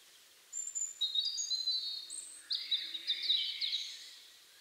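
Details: European robin singing in Liepāja, Latvia, in January 2023: thin, high whistled notes and sliding trills in varied phrases, a brief pause, then a denser, tumbling warble.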